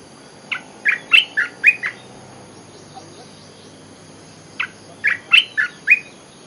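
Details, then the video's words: Olive-winged bulbul lure song: two matching bursts of six chirpy, bouncing notes, repeated after a pause of about three seconds, with quiet background hiss. "Suara pikat merbah belukar gacor"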